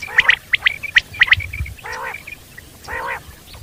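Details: Common quail in the wild: a rapid triple of sharp whistled notes, repeated twice, then broad buzzy mewing bursts with a pause between them.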